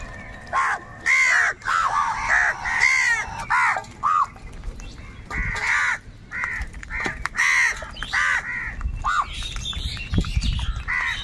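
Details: Several crows fighting for food give a busy run of harsh, nasal caws, many overlapping and quick, some short and clipped, others drawn out, with a faint higher chirp in the background.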